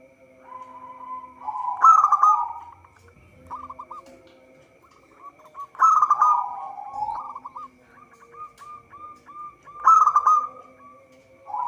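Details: Zebra dove of local stock singing steadily, used to lure birds for trapping: three loud trilled bursts, each followed by trailing runs of short curled coos, with a faint continuous hum.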